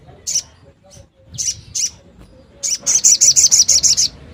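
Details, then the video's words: Long-tailed shrike, 'nembak' style song used to stimulate non-singing shrikes: three spaced shrill notes, a pause, then a fast burst of about ten high, sharp notes repeated in quick succession. "SOGON NEMBAK ‼️cocok untuk burung yang macet bunyi agar mondongkrak birahi sogon lain ‼️"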